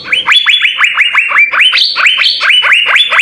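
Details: Blue-winged leafbird singing jamtrok with ngekek bursts, used as a tutor song: rapid, ringing upswept notes in quick succession, some higher sustained notes woven in, with no pause.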